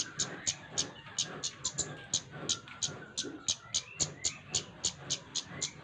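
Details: A lively flowerpecker, played to encourage other birds to sing, gives a steady stream of sharp, high-pitched tick notes roughly three per second, with faint sliding whistles and low background noise.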